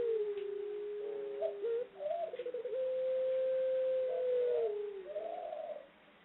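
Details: A female ringneck dove, bred in Indonesia, gives its long ngelik ngluguk call: soft rolling coos leading into a very long level tone lasting over two seconds, then a final warbling coo.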